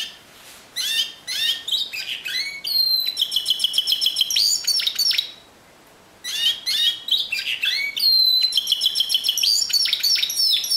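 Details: Timbrado canary singing in the discontinuous style: bursts of rapid, metallic, repeated notes and short rolling trills, high-pitched and clipped, delivered in two long bouts split by a brief silence near the middle, against a quiet background.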